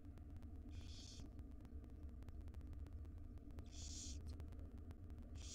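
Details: Breakfast begging by five wild barn owl chicks in a nest box as their mother feeds them: three loud, breathy screeching hisses, evenly spread, with steady low-pitched hum behind.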